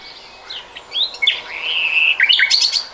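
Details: Common nightingale song, 2020: varied whistled and slurred notes between high chirps, rising to a burst of sharp high notes near the end.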